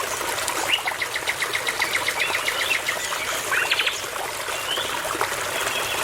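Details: Nightingale singing near a babbling brook in the forest: quick bursts of dry, clicking and chattering notes in rapid succession, with a short whistle, set against steady stream noise.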